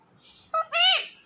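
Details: Talkative green pet parrot speaking a single imitated word, a short flat first syllable and a longer rich-toned second one, with faint hiss before and silence after.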